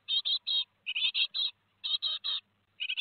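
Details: Nestling great tits, Théding, 15 July 2020, two days before fledging, utter harsh hissing chirps grouped in twos and threes with brief gaps.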